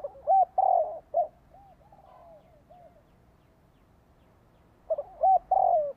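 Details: Lure call of a spotted dove meant to draw birds in and prompt captive doves to answer: two mellow coo phrases about five seconds apart, each with short notes around a long, slightly falling hoot, softer echoes between.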